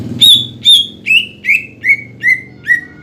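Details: Greater green leafbird gacor song aimed at rival birds: seven strong whistled notes about two per second, stepping gradually lower in pitch from one note to the next.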